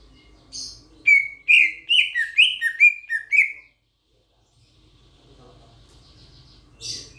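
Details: Grosbeak starling from Sulawesi, a loud-voiced starling, delivering a lively string of about nine bright, slurred chirps in under three seconds, then silence and a final harsh note.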